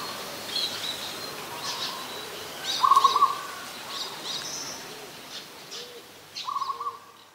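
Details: Adult zebra dove recorded 24 December 2020 in Ubon Ratchathani, Thailand: quiet, rapid stuttering coo bursts, one midway and another near the end, among distant high bird chirps and faint lower calls.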